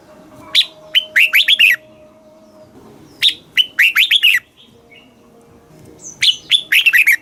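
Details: Red-whiskered bulbul singing a southern master-style song used to excite caged birds and train young birds; three quick phrases of sharp, descending whistled notes, each phrase a fast run of five or six notes.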